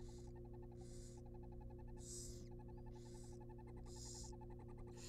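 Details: Wild barn owl nestlings in a monitored nest box, being fed a rabbit: rasping, hissing bursts about half a second long repeat roughly every second, over rapid ticking pulse trains and a steady low electrical hum.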